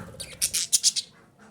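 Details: Female budgerigar calling, used to stimulate breeding: a quick run of five sharp, scratchy, high chirps packed into about half a second, then quiet.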